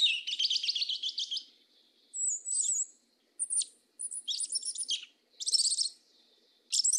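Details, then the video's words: Sabiá-preta singing in the southern 'mateiro' manner: buzzy, trilled high phrases alternate with thin drawn-out whistles and sharp downslurred notes, the bursts packed together with little pause. "SABIÁ PRETA CANTO MATEIRO DO SUL"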